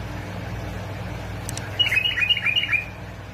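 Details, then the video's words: Bulbul from Basra and Fao, Iraq, in a recording meant to stimulate other bulbuls to sing: a quick run of about eight bright, chirpy notes in the upper register over roughly one second, over a steady low hum. "مقطع تحفيز طيور البلابل على التغريد"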